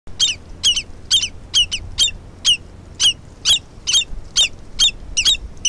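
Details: Common redshanks mobbing a stoat on a wetland in summer 2020 give sharp, high, insistent alarm notes, about two a second in a steady stream, over a faint low rumble.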